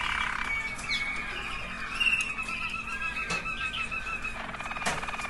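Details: Waterslager canary singing a sustained rolling, bubbling tour with a level whistled tone running through it, faint and partly masked by steady background hiss.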